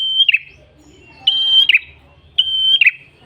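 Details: Red-headed tailorbird song for attracting other birds: three sustained whistled notes, each about a third of a second long and finishing with a quick falling twist, spaced roughly a second apart.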